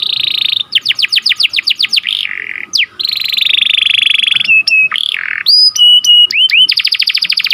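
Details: Loud canary song in the 'cuit cuit' sharp rolling style, for training birds and rousing breeding canaries. Buzzy sustained tones alternate with quick slurred note series, flat high whistles and a closing rapid trill.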